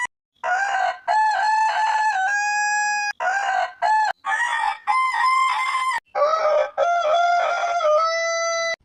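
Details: Long rooster crowing, repeated in close succession. Each crow opens with broken, stuttering syllables and ends on a long, level held tone. The recording is clean, with no other clear sounds.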